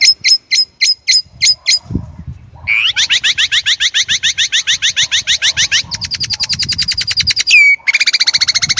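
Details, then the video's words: Chinese blackbird singing loud, varied phrases: a run of six sharp, evenly spaced notes, then a fast buzzy trill of rising strokes, a steady rattling series, and a clear downslurred whistle before a final rapid chatter. "烏鶇(黑鶇)的叫聲/Sound of Chinese Blackbird"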